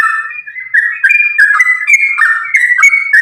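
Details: A sooty-headed bulbul, called trucukan, sings its energetic fighting-style song, used as a lure for other bulbuls: mellow, bubbling whistles linked in a fast, continuous rolling phrase of about three notes per second.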